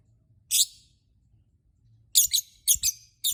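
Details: Lovebird singing to provoke other lovebirds: one harsh high chirp, a pause, then a rapid run of four shrill, grating chirps.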